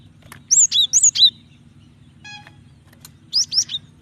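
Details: Female Java sparrow calling to the male, a call used to provoke males into singing: two bursts of sharp, high chirping notes, four quick notes then three, with a faint steady low hum and a brief tonal buzz between.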